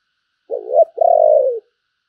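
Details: Spotted dove kept as a decoy, cooing to call: a brief hoarse opening coo, a tiny break, then a drawn-out vibrating coo sliding gently lower, clear against silence.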